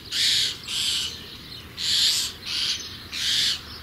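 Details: Young common starlings (Sturnus vulgaris) close to fledging give harsh, raspy, hissing bursts, five in under four seconds, each about half a second long with brief pauses between.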